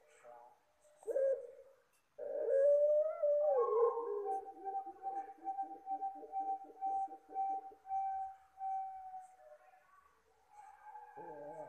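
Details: A dove known as puter pelung gives soft, low cooing: a short rolling coo, then a long, drawn-out hum holding one pitch for several seconds before fading. The recording is offered as a lure call.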